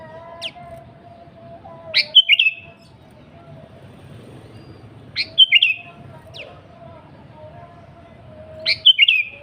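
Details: Energetic sooty-headed bulbul singing, used as a lure to provoke rival birds: three quick gurgling, whistled phrases, each opened by a steep upward note, spaced roughly three seconds apart against a faint steady drone.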